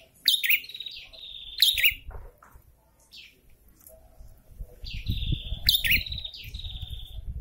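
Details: Prinia pair in breeding condition, male and female answering each other: sharp high chirps leading into buzzy, drawn-out rising-then-level notes, repeated in bouts, with low rumbling background noise.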